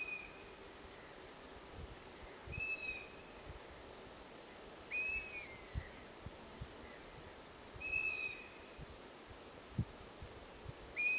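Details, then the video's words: A young long-eared owl begging for food gives high, thin, squeaky calls like a creaking gate, about one every two to three seconds, while begging siblings call around the terrain; faint steady background hiss. "Hornuggleunge som tigger efter mat / Asio otus / Long eared owl"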